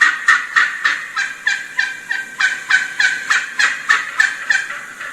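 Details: Wild Turkey hen calling in excited yelps, pausing to listen whenever the gobbler gobbles as gobblers draw closer. A steady series of short, raspy, pitch-shifting yelps, roughly three to four each second, throughout.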